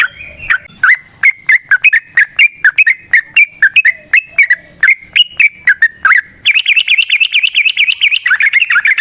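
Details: Yellow-vented bulbul in the wild delivering long 'ropel panjang' song meant to lure other bulbuls. Bouncy repeated notes, then a faster, higher, rippling trill at the end.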